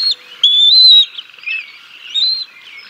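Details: A bald eagle at the Decorah North nest on 6 May 2022, caught on a live nest camera during a fish feeding of the chicks by the male before the female arrives. A clear, high, sustained whistle, then softer, wavering squeaks.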